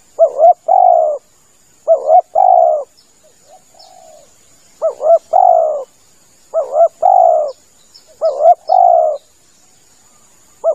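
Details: Lure cooing of a spotted dove for hunting from a hide. Repeated phrases each start with a wavering twin note and end in a full, falling coo, with a quiet soft coo during a pause. Faint bird chirps sound overhead.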